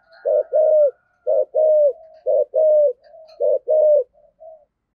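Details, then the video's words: Cu gáy, the spotted dove, 'giọng thổ' style, 'thúc gù' cooing: four low paired coos, a short note then a sustained falling one, separated by soft murmured tones, ending with faint short notes. "tiếng cu gáy giọng thổ sấm thúc gù hàng cũng hiếm"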